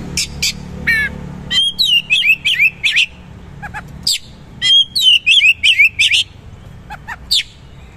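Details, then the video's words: Oriental magpie-robin singing in the gacor style with rough 'materi kasar', 'roll tembak' bursts and rich 'isian' fill-ins: sharp high whistles and rapid buzzy trills repeated in quick runs, with bright looping phrases between short pauses, faint low hum beneath. "KACER GACOR MATERI KASAR ROLL TEMBAK ISIAN MEWAH"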